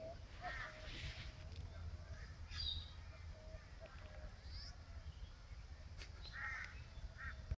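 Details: An angry black swan, about to attack and running up to peck at wood, gives a few short, nasal, bugling notes spaced several seconds apart over steady low rumbling wind or handling noise.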